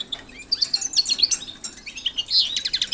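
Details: European goldfinches in a home aviary shared with canaries, housed there to exercise and get used to the canaries before pairing. Bright, rapid twittering phrases of high tinkling notes in two bursts, with a short pause between them.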